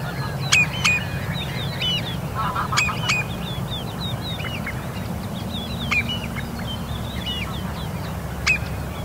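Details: Common redshank chick at Dollart in early morning sun, 14 July 2022 around 06:10, giving thin, high peeping calls, short and often hooked, several a second at irregular spacing, over a steady low rumble of wind.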